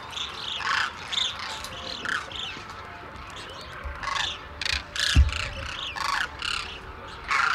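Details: Wintering flock of demoiselle cranes at a village in Khichan, India, where locals feed them grain early each morning; repeated rolling, trumpeting calls from many birds in short bursts over steady background chatter.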